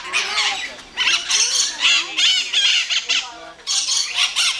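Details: Harsh screeching from a squabbling pair of white-eyed parakeets kept at the Iguaçu bird park, coming in loud raspy bursts with a short lull midway before the shrill squawking resumes.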